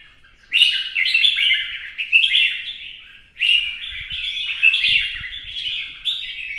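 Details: Red-whiskered bulbul singing in a contest display while fanning. Two clear bursts of loud, cheerful whistled phrases are split by a short pause. Each burst steps up and down through bright notes, with faint tapping behind.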